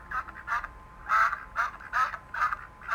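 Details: Farm duck giving rough, raspy quacks, about two per second, each a short noisy burst, some broken into stuttering double notes, over a faint steady background hum.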